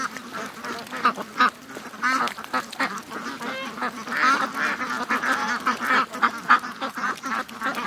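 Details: Ducks and geese, more than 700, stream toward the lake at morning, their raspy quacking and honking merging into one unbroken clamour.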